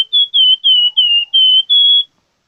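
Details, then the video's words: Plamboyan bird singing actively (gacor): a chain of six clear, high whistled notes, each held briefly at a steady pitch and separated by short gaps, the last ones slightly higher, with no other sounds. "BURUNG PLAMBOYAN Gacor"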